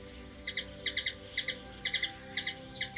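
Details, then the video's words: Hummingbird recorded in Washington DC, USA, giving sharp high chips, mostly in close pairs, in loose bursts about every half second, over a faint steady background hum. "Hummingbird | Bird noise"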